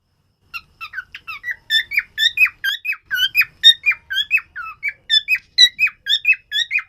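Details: Cockatiel (Nymphicus hollandicus), song.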